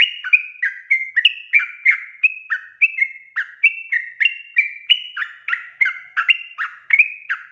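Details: Continuous chattering song of a Yellow-vented bulbul, used to lure wild trucuk birds into singing: rapid, gurgling whistled notes, about three per second, sliding up and down in a tumbling sequence.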